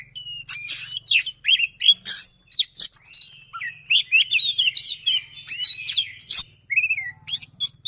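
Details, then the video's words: White-rumped shama, a kept songbird, singing a long, fast stream of clear whistles, buzzy notes and rapid chatter, the phrases tightly packed, over a faint low background hum. "Kacer SISINGA, Speed Rapat Durasi Dapat | Roll Tembak dan Ngotot"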